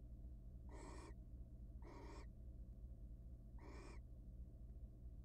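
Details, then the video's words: Wild barn owls mating in a nest box before egg laying give three rough, breathy hisses, with two close together and a third after a pause, over a steady low hum. "Boy do barn owls mate a lot before egg laying."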